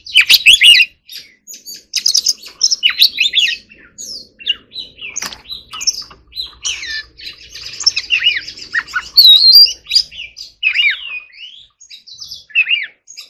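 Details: Oriental magpie-robin practising its forest-voice song: a long varied medley of whistles, trills and scratchy notes, rapid and irregular, a faint low hum underneath mid-way.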